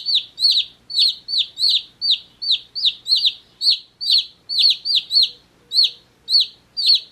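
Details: One-day-old chicks chirping: loud high peeping notes, each sliding up then down, repeated steadily about twice per second with overlapping calls from several chicks.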